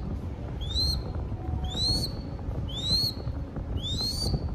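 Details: A young crested goshawk, fed in Cambodia, repeats a piercing upward-sweeping whistle about once a second, four times, each note thin and ringing, with low rumbling noise underneath.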